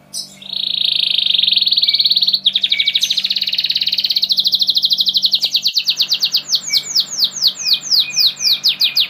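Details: Spanish Giboso canaries in cages sing a loud sustained buzzy trill that shifts into rapid rattling notes and then slower, evenly spaced descending chirps, with a faint low hum behind.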